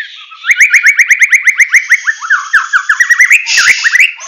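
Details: White-rumped shama of the Medan type singing in full tembakan (rapid-fire) style: a fast run of about twenty sharp rising whistled notes, then looser slurred and buzzy phrases.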